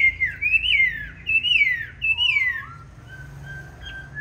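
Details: Fighting song of a Chinese hwamei with green-bean eyes, meant for training other hwamei to sing gently: three long, bright whistles each rising then sliding down, followed by a lower rising whistle and soft steady tones.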